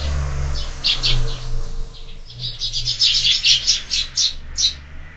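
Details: Lively morning sparrows at a window-mounted feeder, loud chirps quickening into a rapid, overlapping twitter over a constant low droning hum.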